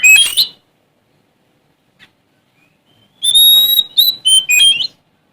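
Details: Male-style challenge song of a Sumatran magpie-robin seeking an opponent: a sharp burst, a near-silent gap with a tiny note, then a loud sustained whistle breaking into several quick, varied whistled notes.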